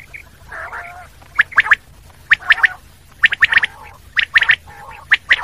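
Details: Common quail repeating its crisp three-note call in quick succession, bright clicky notes in tight groups, mixed with lower nasal buzzing calls between phrases.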